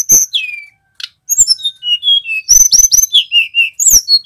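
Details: Male tledekan gunung singing energetically. A falling whistle opens, then a pause, then quick sharp chirps and a series of short level whistles, with rapid high trills near the end.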